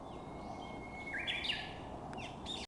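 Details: Japanese bush warbler singing on Mount Monju on a fine, sunny day during a mountain hike: a long steady whistle, then a jump to a higher, quick warbled flourish, heard over a steady rush of background noise.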